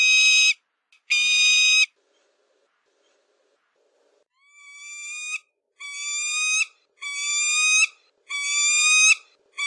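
A falcon gives shrill, nasal, drawn-out screeches, each about a second long and repeated every second or so. No other sounds intrude.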